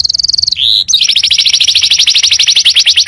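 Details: Canary tutor song for training untrained birds: a rapid high trill, a brief steady tone, then a long fast rolling series of bright repeated syllables with no pauses.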